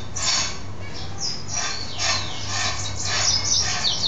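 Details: Male mule goldfinch, a caged goldfinch hybrid, happy after bathing and singing into the evening; bursts of bright twittering and downward sweeping notes with a low background hum.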